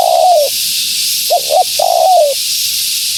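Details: Female spotted dove cooing to lure wild doves: a long falling coo, then two short rising notes and another long descending coo, over steady high hiss.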